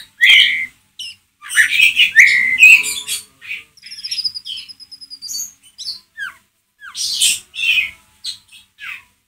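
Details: Ngeriwik chatter of a White-rumped shama used as a lure for another shama: dense harsh scratchy notes and slurred whistles in quick succession, then thin high trills and short downslurred chips, all from one close bird.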